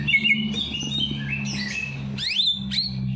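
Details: Bird sings after a night bath to stimulate lazy birds: thin high warbling followed by two swift rising sweeping whistles, above a steady low electrical hum.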